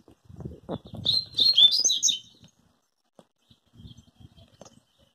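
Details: Rusty-collared seedeater singing a quick, bright phrase of high, slurred whistles and chips lasting just over a second. Low rustling and thumping sounds come first, and there are faint knocks afterwards.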